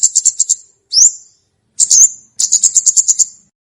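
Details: Olive-backed tailorbird singing, a recording intended for luring and for training untrained tailorbirds: a quick burst of high chips, one rising whistle, a buzzy slurred note, then a fast series of about ten piercing chips.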